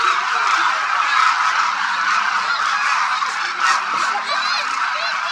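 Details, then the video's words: Thousands of Demoiselle Cranes gathered at Khichan Bird Sanctuary, Phalodi, Rajasthan, India, during winter; many birds call together in a loud, unbroken chorus of trumpeting, honking notes, with a few clearer rising calls standing out near the end. "The sound of thousands of Demoiselle Cranes echoes across Khichan Village, Rajasthan"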